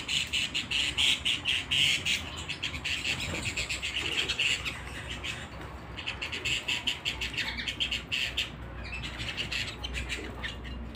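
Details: Canary singing in a canary room: bursts of rapid, rolling trills of short, high notes repeated many times a second. The trills come in long runs broken by brief pauses, with a faint low hum behind.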